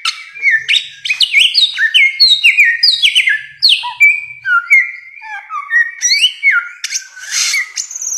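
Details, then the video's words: Bare-throated whistler song in a long tutoring recording: loud cascading whistles that step downward, repeated in quick phrases, then lower flat whistles and a hissy burst near the end. "masteran samyong 1001 suara durasi panjang"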